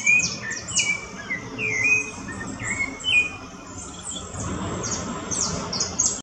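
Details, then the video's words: Rufous-bellied thrush singing in the woods, short fluty whistled phrases every second or so, mixed with a busy chorus of high, thin chirps from other birds. "Sabiá Laranjeira cantando bonito"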